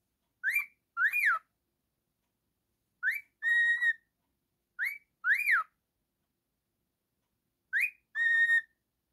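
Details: Pet male cockatiel singing: pairs of short rising whistles and arched notes, alternating with a rising note plus a long level whistle, four phrases in quiet surroundings.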